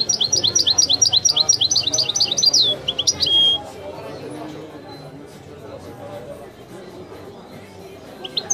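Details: European goldfinch in authentic Widani song style: about three seconds of quick repeated high chirps and a short buzzy phrase, then near silence with faint background noise and a last brief twitter.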